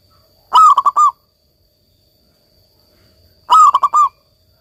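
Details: Local zebra dove kept for song therapy: two cooing phrases, each of four fast pulses with the last held longer, about three seconds apart, over a quiet background.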